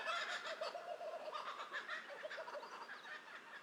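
Laughing Kookaburra in full cackle, a dense run of loud, rapid chuckling notes that rolls on without a pause, raucous and slightly hoarse.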